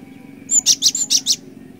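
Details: Cinereous tit in lively ngerol ngeplong song, used as a lure for catching birds: a fast run of five or six very high, ringing notes delivered in under a second against faint background hum.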